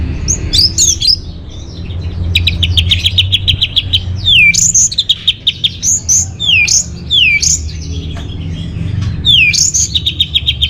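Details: Orange-headed thrush singing, offered as a lure and master recording for songbird training: rich high phrases mixing falling slurred whistles with rapid repeated chirping trills, several strophes in quick succession over a faint low hum.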